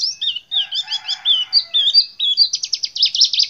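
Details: A kept white-eye (pleci) used as a song tutor gives a rapid, high twittering song of slurred whistled notes, ending in a fast trilled series; a faint lower chatter runs beneath.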